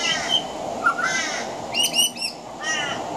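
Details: On a veranda, a pied butcherbird mixes mimicry of other Australian birds into its song: harsh, ridged rasping calls, a short whistled dip, then a dense high stuttering chatter, all against steady hiss.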